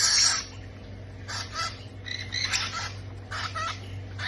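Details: Parrot chicks being fed, giving harsh, raspy bursts of squawking and wheezy chatter in uneven pulses over a steady low hum.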